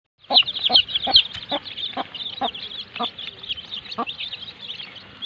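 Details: Baby chicks with their mother hen, playing: a dense chorus of high, thin peeps over short, low clucks from the hen, the clucks repeated in a steady run about every half second.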